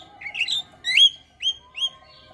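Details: Starling song used to train and draw out singing in other starlings: four separate whistled phrases, each a bright note rising then levelling off, spaced about half a second apart, with a faint lower steady tone underneath.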